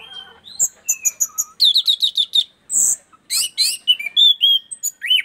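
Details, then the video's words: Orange-headed thrush from East Nusa Tenggara in full song after camera habituation: rapid sequence of sharp high chips, buzzy rattles and a hoarse rasp, with whistled slurs, dense and continuous for five seconds. "punglor gacor asyik"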